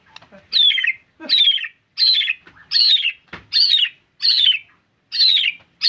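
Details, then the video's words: White-rumped shama singing actively: harsh, scratchy notes that drop in pitch, repeated at a steady pace about every three-quarters of a second. "Murai Gacor Full Durasi"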